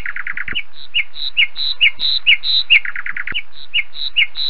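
Northern Lapwing giving a quick run of sharp, squeaky notes, then alternating higher wheezy whistles, about two per second, over faint low rumbling.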